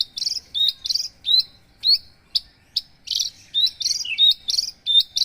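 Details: Javan bush lark, 'paksi aji' line, delivering spaced, harsh buzzy bursts mixed with quick high whistles and clicks, each phrase separated by brief gaps.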